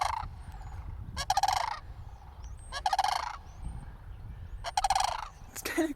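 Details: Cranes near a church, calling as a person tries to approach on foot: loud, harsh, pulsed rattling bursts about half a second long, repeated roughly every one and a half to two seconds, with faint background rumble.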